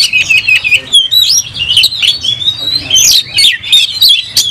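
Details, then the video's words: A fired-up oriental magpie-robin sings with its tail open before a fight. Its song is a rapid chain of whistles, twangy slurs and clicks, about one and a half note bursts each second. "Kacer gacor langsung tarung buka ekor bongkar emosi"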